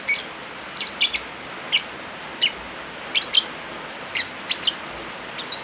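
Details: Lovebirds mixed with rain, meant as therapy or tutor audio for birds that have stopped singing: sharp, high, scratchy chirps, often in quick clusters of two or three, about a dozen across the stretch over a steady hiss of rain.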